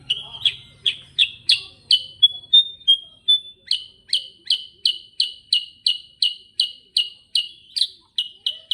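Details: Sooty-headed bulbul in continuous rolling song: sharp, bright chirped notes repeated about three times a second, broken midway by a few thin pure whistles, then the steady chirping resumes to the end.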